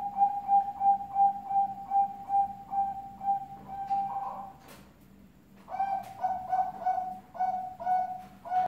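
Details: Zebra dove singing at night: rapid series of soft, steady cooing notes at an even pitch, pausing briefly before resuming, over a low background hum.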